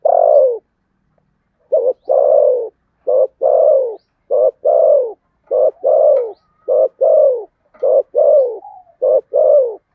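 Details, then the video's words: Spotted dove in bout cooing of the "thổ sấm" voice style. A short clipped note and a longer falling coo are paired and repeated roughly every second, about eight phrases in steady succession. A faint thin whistle sounds briefly near the end. "tiếng cu gáy thổ sấm/ chim cu gáy gù đấu và thúc bài bản giọng Sấm Thổ"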